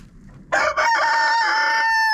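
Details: Rooster crowing inside a friend's chicken coop, recorded on a GoPro: a sudden loud crow that starts rough and stuttered, then settles into a long, steady, ringing note lasting past the end.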